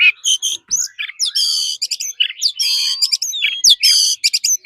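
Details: Forest-style song of an Oriental magpie-robin, used for daily song training: dense, rapid phrases mixing harsh, rasping bursts with sharp chirps and short whistled glides, barely pausing.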